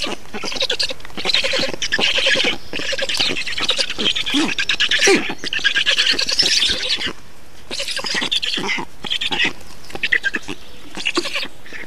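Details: Feeding of black storks in Estonia, 2 June 2019: repeated phrases of harsh, buzzy squealing, each lasting a few seconds and broken by brief silences, with scattered sharp clicks toward the end.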